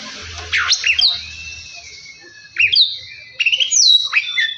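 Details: Oriental magpie-robin song meant to get another bird singing quickly: three separated bursts of loud swooping whistles and slurred notes over faint low background rumble.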